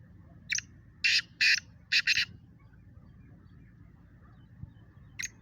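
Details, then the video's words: Grating black francolin call from a contest between kala teetar birds: a phrase of five rough, scratchy notes in quick succession, then a pause and the first note of another phrase. "Speeder Kala Teetar Kaly Teetaron ka Muqabla Kala Teetar ki Awaz"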